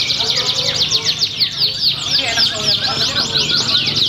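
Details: Canary performing in a singing contest at Pringsewu, 22 September 2019; a quick series of bright, steeply falling whistled notes and buzzy trills over a busy chorus of birds and murmuring people.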